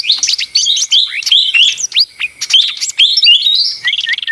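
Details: Short burst of lesser green leafbird song: rising whistles, sharp chirps and a fast trill near the end, lively and densely packed.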